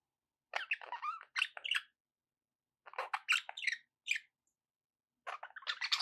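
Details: Budgerigars kept as pets warble in three bursts of buzzy chirps and squeaky twitters, each lasting about a second, with short silent gaps.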